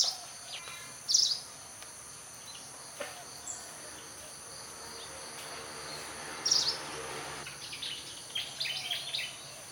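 Pied Fantail giving short bursts of high, clear squeaky notes, two spaced phrases and then a few scattered chips, over a steady high insect drone.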